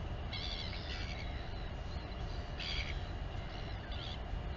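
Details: At a nest in the Taiaroa Head colony near Dunedin, New Zealand, a Royal albatross mother feeds her chick on a live camera; three short, bright, nasal bursts rise above constant loud wind rumble.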